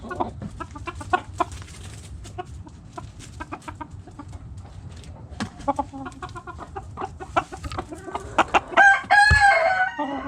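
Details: Backyard chickens: a long stretch of irregular soft clucks and chatter from several hens, then a rising, wavering rooster crow near the close, with a constant low background hum.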